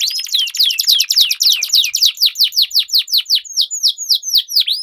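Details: Dueling canaries with long rolling song, used to get silent canaries singing: a quick buzzy trill slowing into evenly spaced, clear downswept whistles, roughly three per second.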